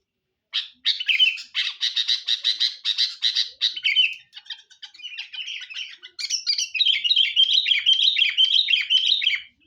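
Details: Energetic Sooty-headed bulbul lure song: a fast burst of rattling chattering notes, a short break, then a continuous warbling sequence of wavering slurred whistles.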